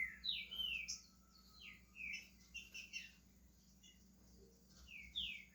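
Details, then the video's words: Pet green-winged saltator from Brazil starting to sing, a string of sweet downslurred whistles and short chirps with gaps, recorded against a steady low background hum. "Trinca ferro SHREK começando a cantar"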